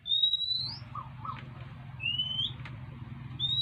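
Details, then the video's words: Oriental magpie-robin begging for food, as it does every day: three thin rising whistles, a high one, a lower one, then a high one again, over a steady low droning background. "เสียงนกกางเขน : น้องมาขออาหารกิน"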